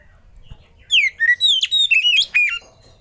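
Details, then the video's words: Oriental magpie-robin song used as a lure and tutor sound to prompt other birds to sing: a quick run of loud whistled notes, sliding and sharply inflected, about seven bursts over under two seconds after a quiet start. "Suara Pancingan dan Masteran Kacer"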